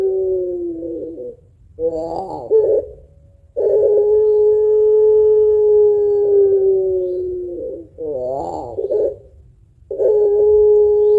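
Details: Lively puter pelung dove, prized for its long voice and thick ending note: long level coos alternating with short tremulous, warbled phrases, repeated through the clip.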